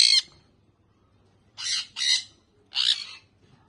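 A young sun conure gives harsh, raspy screeches in short bursts, with brief pauses between them.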